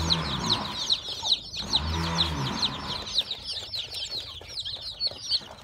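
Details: Newborn chicks at a farm, hatched from a hen's eggs, give rapid high peeps that slide downward, with many overlapping, plus a low rumbling noise around the second second before the chorus thins.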